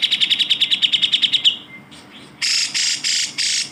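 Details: Cucak jenggot bulbul song played as training material for other cage songbirds: a quick run of about twelve bright, down-slurred chirps, a short thin note, then four loud, harsh, buzzy bursts.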